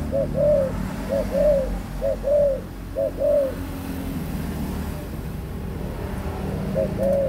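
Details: An adult spotted dove, recorded on 18 October 2021, gives soft two-part coos, a brief note then a drawn-out falling one, about five phrases in a row, a pause, then one more, with low rumbling noise behind.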